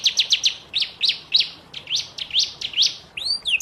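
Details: Young canary in moult singing a training tutor song: spaced bursts of quick buzzy downslurred notes in clusters of two to four, followed by a pair of clear swooping whistles at the end.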